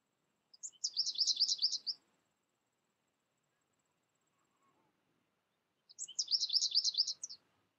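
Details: American goldfinch raised without other birds and taught by a tutor recording, giving two separate bursts of rapid, high, buzzy twittering, each about a second long, with roughly four seconds of quiet between them.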